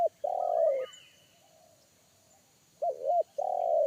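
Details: Forest spotted dove with a large, bass 'kuk satu' voice that startled a trained lure dove; a long low coo trailing off, faint higher stutter notes, then a wavering double coo and another sustained coo.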